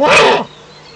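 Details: Eifel eagle-owl nest at dawn, 05:40 on 17 May 2013, with an adult arriving out of view: one short, loud, hoarse screech that cuts off abruptly, followed by quiet background with faint songbirds.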